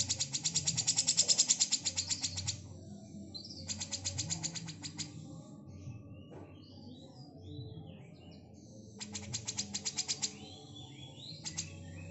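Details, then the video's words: Female grey-cheeked bulbul, kept to train magpie-robins, giving bursts of rapid, harsh, rattling chatter repeated in runs of about two seconds with quiet gaps, alongside softer scattered chirps and low background hum. "Cucak Jenggot Gacor// Masteran Murai Batu// Full Besetan Betina Real"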